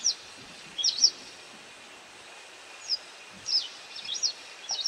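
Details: White wagtail calling while it feeds on insects: a few brief, high, thin chirps and paired notes separated by quiet gaps of one to two seconds, over constant low background hiss.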